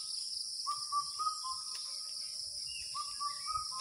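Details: An Asian koel calling in the Bengali month of Jyoishtho gives short, clear whistled notes stepping upward in a rising series, over loud, steady insect buzzing, with another bird calling faintly.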